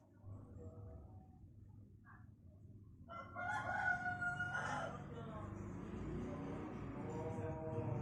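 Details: Pelung chicken crowing; its crow grows longer with maturity and turns melodious with winding 'cengkok' bends. Faint calls open, then a loud harmonic crow bursts in midway, trailing into a long drawn-out lower tone to the end over steady low hum.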